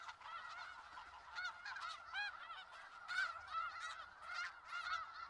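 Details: Massed snow geese calling in Skagit Valley: harsh, nasal honks overlapping in a thick chorus, with several louder single calls punching through around the middle and end.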